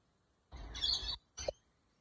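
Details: Lorikeets feeding on palm flowers give two harsh, raspy screeches: the first about two-thirds of a second long, the second a brief burst a moment later, over a low rumble.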